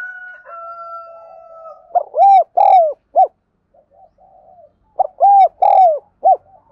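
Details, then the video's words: Cooing of a spotted dove, played to train wild-caught and decoy birds. A faint steady tone fades, then two loud phrases follow about three seconds apart, each a short note, two long falling coos and a clipped final note, with quiet murmurs between. "Tiếng chim cu gáy dùng luyện giọng chim bổi và mồi chuẩn nhất"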